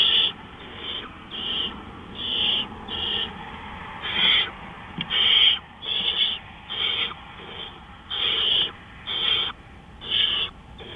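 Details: At 3:15 AM on April 20, 2013, an owl repeats short breathy hissing screeches, about a dozen bursts spaced irregularly, some louder and harsher than others.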